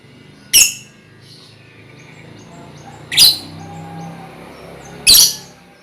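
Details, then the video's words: Lovebird colony sounds used as a lure to make birds trill: three sharp, harsh, high chirps spaced about two to three seconds apart, with faint thin whistles in between and a low hum beneath. "Suara Lovebird untulan koloni cocok buat pancingan ngekek"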